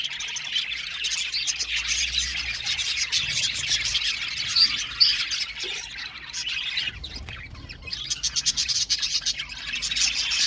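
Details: Aviary budgerigar colony chattering, thick high-pitched chirps and squawks, easing briefly to a quieter patch before a rapid pulsing burst of chatter returns.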